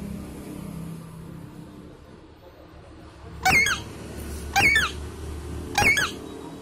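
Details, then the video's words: Alexandrine ringneck parakeet, kept as an Indian talking parrot, giving three loud harsh rasping screeches roughly a second apart, each short and ragged, over a quiet steady low hum; no clear words are heard. "Alexander Ringneck Indian Talking Parrot"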